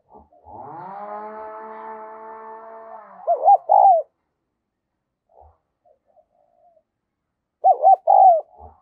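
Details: Decoy spotted dove of the Đồng Son voice type, calling to attract other doves. A long droning harmonic tone comes first. Two loud coo phrases follow, each made of three notes, about four seconds apart.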